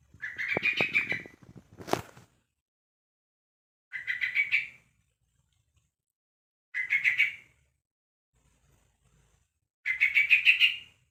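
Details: A one-month-old Yellow-vented Bulbul calls to other bulbuls, repeating short rasping, chattering bursts about every three seconds, four in all, with a sharp click after the first.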